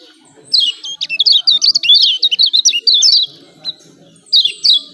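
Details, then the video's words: Yellow white-eye from Lombok, kept as a cage bird, giving the 'ciak ciak' call used as a lure to spur lazy birds to sing: a fast, high, twittering chatter of rapid zigzag notes in a long burst, then a short second burst. "CIAK CIAK JOSS KECIAL KUNING AMPUH||PANCINGAN KECIAL MALAS BUNYI"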